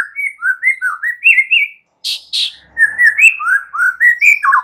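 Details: Song of a young forest white-rumped shama, used to make other shamas answer: rich, varied, wavering whistles in quick succession, broken by two harsh buzzy notes midway, then more mellow rising and falling phrases.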